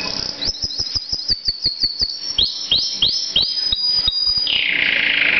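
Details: Pet male canary singing loudly, as he does most of the day: a fast series of sharp chirps about three a second, then sweeping downslurred whistles and a closing buzzy trill.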